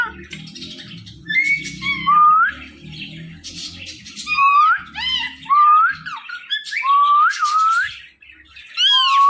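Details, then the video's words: Pet Indian ringneck parakeet, a talking parrot, uttering repeated swooping whistles and nasal, speech-like syllables in bursts, over a faint low hum that fades after the first few seconds. "IRN Talking Parrot"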